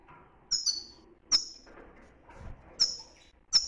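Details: European goldfinch giving the strong 'btbta' song style, Moroccan, heard as sharp high chirps spaced irregularly, each a quick downward-sliding note, with quiet gaps between.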